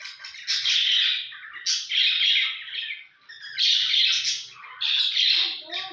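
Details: Budgerigars give scratchy, chattering warbles in bursts of about a second, a courtship song during mating.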